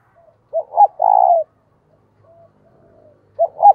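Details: Decoy spotted dove calling to attract wild doves: a full phrase of two clipped hoots and a drawn-out, throbbing coo, followed by a long pause and the opening hoots of the next phrase.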